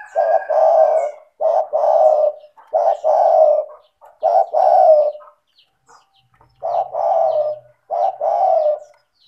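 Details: Actively calling spotted dove, the tekukur, serving as a lure to get lazy doves calling: seven low, throaty two-part coos in steady succession, roughly one every second or so, with a short pause midway.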